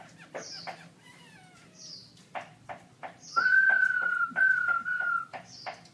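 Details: Song-contest entry, a caged black-throated laughingthrush (October 2016), holds a long, steady, pure whistled note that wavers slightly, among scattered sharp chips and short high notes from the room.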